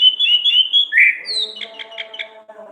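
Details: Orange-headed thrush, singing in the ngeplong ngriwik style used as a training recording for songbirds: smooth high whistled phrases, a lower rich note, then a run of short buzzy chirps over a faint steady low hum.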